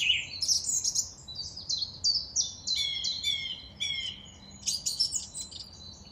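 Song thrush singing loud, clear, varied phrases, each whistled or chirpy figure repeated two or three times before moving on, in a quiet outdoor setting.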